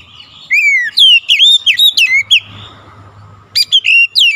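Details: Oriental magpie-robin (kacer) singing through its mimicked repertoire (isian): clear downward-slurred whistles repeated about three times a second, a pause filled with low hum and hiss, then more sharp whistled notes.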